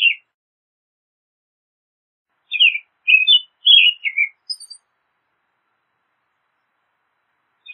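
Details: American robin song: a brief phrase at the start, then a quick run of four or five short whistled, slurred notes after a pause, each dropping slightly in pitch, with silence around them.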